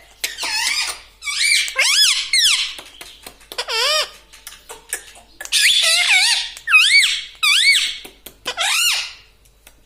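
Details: Pet parrot talking indoors, its phrase given as "mitthu mitthu": about eight squeaky, wavering speech-like phrases in bursts, some rising then dipping, with short pauses between them.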